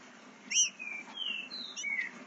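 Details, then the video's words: Young Green-winged Saltator, eight months old, learning to sing and already showing speed: a short run of clear whistled notes, a sharp rising slur followed by long, smooth, gently falling whistles, with a quiet background. "FILHOTE DE TRINCA FERRO 8 MESES APRENDENDO A CANTAR, MOSTRANDO MUITA VELOCIDADE"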